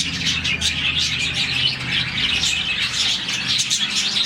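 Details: Colony of around 40 budgerigars chirping in the morning, a sound made when the birds are happy; dense overlapping high chatter of quick twittering notes, continuous with no pauses, faint low hum underneath.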